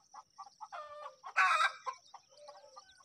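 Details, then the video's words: Myna chicks at feeding time giving short harsh nasal notes in a rapid series, then a loud raspy screech burst near the middle, followed by softer repeated calls; a steady faint high whine runs throughout. "Myna Bird Feeding Time"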